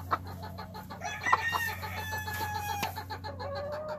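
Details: Gamefowl chickens, a brood hen with her son, clucking and calling in a brood pen: short harmonic clucks and a drawn-out nasal note, over a steady low electrical hum.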